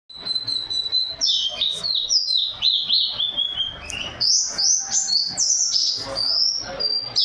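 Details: National champion white-eye with a loud, thunderous voice, singing a song filled with canary phrases: fast high twittering runs and sliding whistled notes, with short trills and sharp chips in a dense, unbroken stream.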